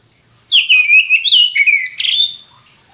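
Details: Poci-type Oriental magpie-robin singing in captivity as a lure to make a mute bird reply: a burst of bright, fluid whistles with sharp sliding notes and quick trills, running for about two seconds.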